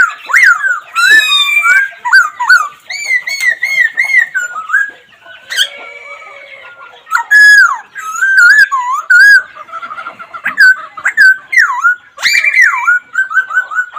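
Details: Long sequence of laughingthrush song: loud, varied whistled phrases, repeated looping notes and sharp high chips, with a quieter pause midway before strong singing resumes.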